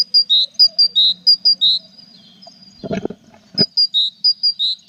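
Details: Tit at a nest with chicks in April; even series of high and lower alternating notes, a pause with two knocks, then the same pattern resumes.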